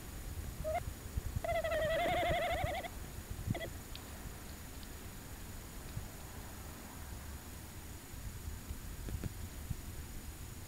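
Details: Tawny owl on a short visit at De Mortel, 27 January 2021, about 21:49 at night: a short hoot, then a wavering, quavering note of about a second and a brief final note, over a faint low rumble.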